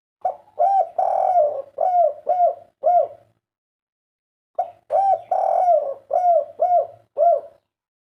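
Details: Spotted dove kept as a cage bird, giving two phrases of about five mellow, low coos each. The notes are run together and slightly falling, with a silent gap of over a second between the phrases.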